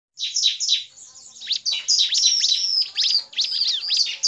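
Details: Bar-winged prinia lure recording combining male, female and chattering calls, used to attract wild birds and to stimulate others to sing: dense bursts of high, sharp downward-sweeping chips and buzzy notes, rapidly repeated with short gaps.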